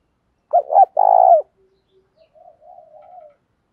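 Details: Mixed-style 'giọng thổ pha' spotted dove decoy calling to incite fighting: one double hoot and long burry coo, followed by soft, low murmured notes fading out.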